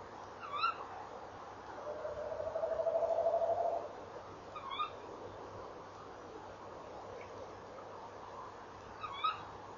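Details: Tawny owls calling at their nest box on a November evening in 2013, female at the box, male flying inside. A low, quavering, tremulous hoot of about two seconds, with short, sharp calls around it and steady background hiss.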